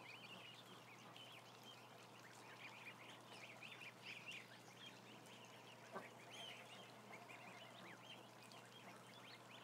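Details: A crowd of about a thousand ducklings peeps softly and constantly, many short high notes overlapping, with a single sharp knock near the middle and a low hum throughout.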